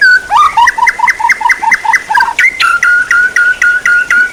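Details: Songbird training material: quick repeated whistled notes, about four per second, that fall in pitch and then hold on a steady, clear, mid-pitched tone.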